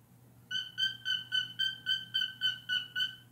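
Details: Pet cockatiel imitating a learned honking sound: a steady series of about ten short nasal honk-like notes, evenly repeated about every quarter second, with a faint low hum in the background.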